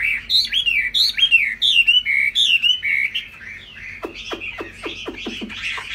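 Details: Captive laughingthrush singing high while flicking its tail: rich, rolling whistled phrases that rise and fall quickly, then shift into a run of sharp, descending chattering notes.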